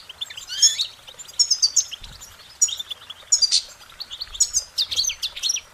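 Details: Cheerful goldfinch singing: a lively run of high twittering notes, liquid chirps and brief buzzy trills, arriving in quick successive phrases.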